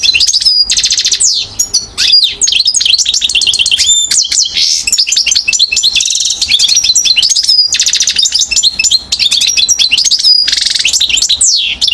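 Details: One-year-old European goldfinch recorded in Mouzaia, Algeria, in 2012, delivering a loud, sustained, rapid jumble of high twittering notes, trills and downward-sweeping whistles throughout.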